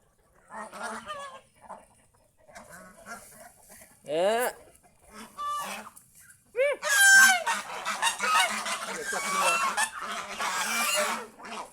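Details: Kept geese in the fields around a house, starting with scattered soft calls and a couple of sharp upward-swept honks, then erupting into a loud, dense honking chorus.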